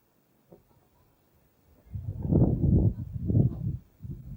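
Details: Kakapo (Strigops habroptilus) giving low, harsh, rasping calls in three or four rough bursts of about half a second each, grinding and throaty, after a quiet opening with a faint click.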